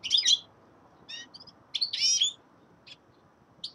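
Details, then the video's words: Winter song of a young male common linnet: scattered bursts of twittering, a loud chirpy flourish at the start and a longer buzzy chatter in the middle, broken by short silences and a few isolated high notes. "Песенка Реполова Коноплянки song of Carduelis cannabina"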